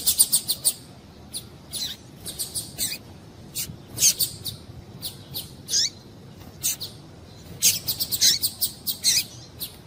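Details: Female double-collared seedeater calling to stir up males, giving clusters of fast high chirps and ticks, some notes sweeping down, in irregular bursts across the clip with brief pauses.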